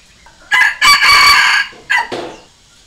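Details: Red junglefowl decoy bird crowing to call and challenge wild junglefowl: a brief opening note, then a long harsh strained middle phrase, and a short clipped closing note, all in about two seconds with no background noise.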